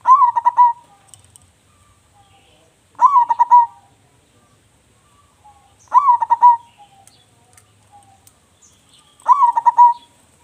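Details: Zebra dove of a local line, singing eagerly with a big voice, repeats a pulsed, bubbling coo phrase four times about every three seconds. Each phrase has a quick rising start, and a faint low hum lies beneath.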